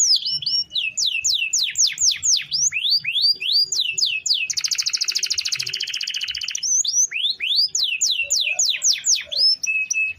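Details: Canary singing an extended roll intended for training other birds: series of loud swooping downslurred whistles, a dense buzzy rattle for about two seconds, then more sweeping whistles and a flat note.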